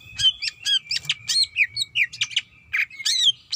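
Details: A female greater green leafbird calls to the male with a rapid string of short, sharp chirps and whistles, nearly evenly spaced, laid over one long high tone, with almost no low background noise.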